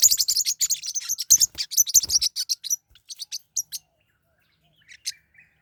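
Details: Two or more pet forpus parrotlets during a fight: a fast, continuous stream of piercing high chirps for about three seconds, thinning into spaced single squeaks, then near silence with a couple of faint notes.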